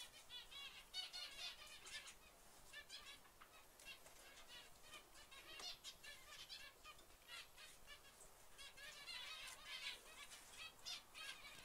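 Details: A white zebra finch, filmed in 2011, gives short, nasal, toy-trumpet calls in quick, busy bursts.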